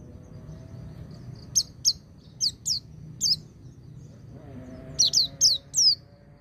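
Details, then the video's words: White-eye song of the ngecir-ngalas style, used for song training: a run of quick, thin downward-sweeping chirps, then a brief pause and another tight burst of four high, sliding notes over soft background hum. "Suara Burung Pleci Ngecir Sambung Ngalas"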